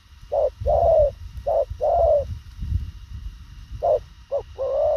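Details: Fast thổ khàng cooing from a spotted dove. Clipped notes precede longer falling coos in two bursts separated by a short gap, with some low rumbling noise underneath.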